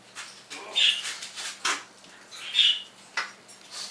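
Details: Pet parrot in the morning imitating electronic sound effects indoors; two short bright chirps near the top of its range, with a few sharp clicks and taps between them.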